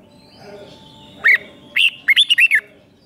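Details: Red-whiskered bulbul song, five-syllable doubled pattern played to young birds to learn; two separate whistles followed by a fast run of four bouncing whistled notes.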